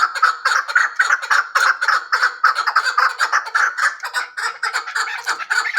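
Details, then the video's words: Continuous rough chucking from a hybrid chukar partridge: short, grating syllables repeated rapidly and a little irregularly for the whole stretch. "Кабки гибрид"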